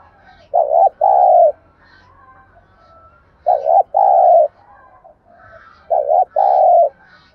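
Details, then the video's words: Spotted dove 'thúc gù' cooing played as a lure to draw birds to a trap and to train decoys: three low, mellow phrases, each a short doubled note then a drawn-out coo, repeated roughly every two and a half seconds. "Chim cu gáy thúc gù dùng kích bổi và tập mồi hiệu quả nhất"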